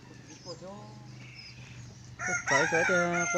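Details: Red junglefowl kept as a large decoy bird, noted for good, loud crowing, 27 October 2020: a bright, buzzy harmonic crow starts abruptly near the end. It is preceded by faint, distant calls and a low background hum.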